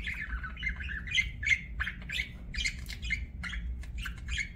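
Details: Budgerigar chirping in a rapid stream of short chirps and squeaky whistled notes, about three a second, with a faint low hum beneath.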